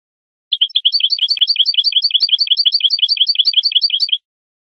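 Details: Goldfinch tutor song for young birds: an unbroken, steady chain of bright two-part chirps, roughly six per second, running for about three and a half seconds with faint clicks underneath.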